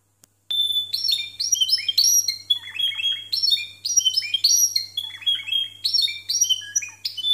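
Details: Timbrado canaries singing in discontinuous style, scored 92 and 93 points: rapid bright metallic notes and trills in varied phrases, some falling, some stepped, with a steady low hum beneath.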